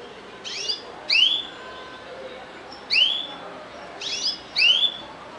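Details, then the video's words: Canaries singing, giving short bright whistled notes that sweep downward, in small clusters every second or so over a steady background hiss. "كنارات تغرد"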